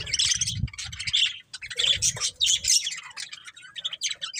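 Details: Budgerigar chirping: quick buzzy warbles in short bursts, then thinner scattered chirps, with low dull knocks during the first half.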